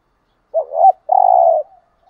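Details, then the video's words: Single song phrase of a spotted dove decoy from Dak Lak, Vietnam, used to lure rival males: a short rising note, a swelling slurred note, then one sustained, slightly pulsing mid-pitched coo. "Cu gáy mồi"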